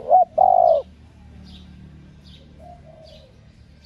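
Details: A single phrase from a hen spotted dove calling to provoke males: a short hooted note and a longer steady coo, followed by a faint softer coo and scattered high chirps.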